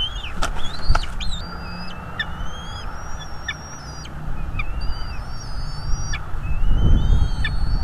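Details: Wild bald eagles at a nest in North East Florida, USA, on a live nest camera, 01.03.2022 at 17:21; thin whistled, level and stepped high notes repeat over a strong low rumble of wind and background noise.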